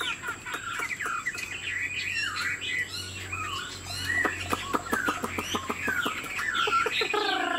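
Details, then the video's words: Caged Chinese Hwamei, said to be 90% pure-bred, flicking its wings and nodding while singing. A rich, varied run of whistled, slurred and warbling phrases with quick chirps. A steady high electronic tone and a low hum run underneath. "Họa mi thuần 90%, chơi cánh, hót gật gù múa lân"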